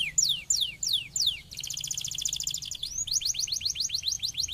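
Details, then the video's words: Singing canary, used to get lazy canaries singing: a few descending whistled slurs give way to a dense buzzy trill, then a fast, rhythmic series of bright chopped notes. "canario guapo! Estimula muy rápidamente el sonido de los canarios perezosos."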